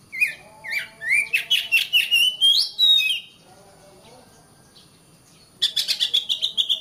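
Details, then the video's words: Master song of an oriental magpie-robin to make caged birds sing more: swooping whistled notes speeding into a dense chattering run, a quiet gap, then a fast burst of buzzy repeated pulses. "Suara Kacer, masteran suara kacer biar rajin bunyi!"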